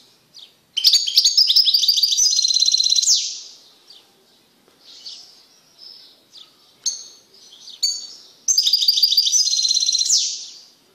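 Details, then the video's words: After isolation from a female canary, a caged male European goldfinch sings excitedly: a long rippling high twitter of over two seconds, several short chirps and soft notes, then another extended jingling trill. "تغريد قوي لذكر طائر الحسون بعد عزله عن أنثي الكناري"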